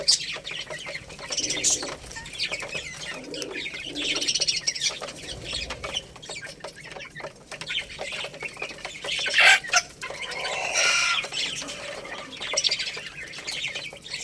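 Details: Chirping from Lohmann Brown chicks, a little rooster and baby hen, while they eat rice; continuous thin peeps and busy clicking run through, with a louder chirp burst near the middle.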